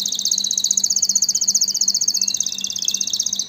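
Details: Canary delivering a rapid, evenly pulsed high trill that drifts slightly downward, with a few faint lower notes beneath; a soft steady hum behind.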